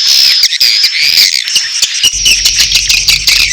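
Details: Edible-nest swiftlet mating call mixed with chick calls: dense high chittering and buzzy twitters with thin whistled streaks, rapid clicks throughout, and a low hum entering halfway.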